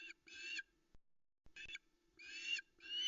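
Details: Female osprey waiting on the Loch Arkaig nest at 05.22 on 13 August 2020, in soft misty light, for a male's brown trout delivery: harsh, harmonic, whistled calls in five short bursts over three seconds, with quiet gaps between.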